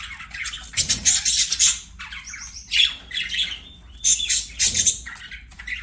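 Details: Budgies singing during play: short bursts of scratchy squawks and chirps, some with brief whistled tones, separated by small gaps.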